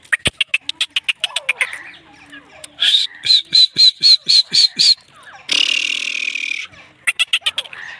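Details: A captive Grey Francolin kept as a pet in Pakistan gives loud, harsh, high-pitched notes repeated about four times a second, with a burst of scratchy noise and other clicks nearby.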